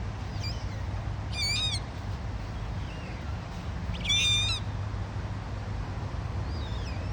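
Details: Baby dusky moorhen chicks foraging with one parent on a grassy lawn by a lake; high, thin squeaky calls with a wavering, stacked tone come in short bursts at irregular intervals, over a steady low rumble of background noise.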